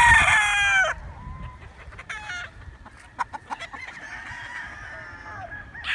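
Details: A close rooster opens with a powerful, shrill crow under a second long, followed by soft clucks and short calls from the flock and faint crowing farther off.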